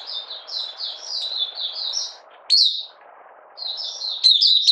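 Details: Caged Malaysian Oriental white-eye (mata puteh) in minor moult and not in form, recorded 31 July 2023, giving 'buka sing' song: high, sweet twittering phrases of rapid falling notes, broken by a short gap, over a low steady hiss.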